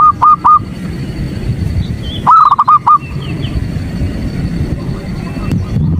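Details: Female zebra dove calling to draw the male: two short bursts of three to four quick coos separated by a long quiet gap, with steady low background hum and faint high chirps.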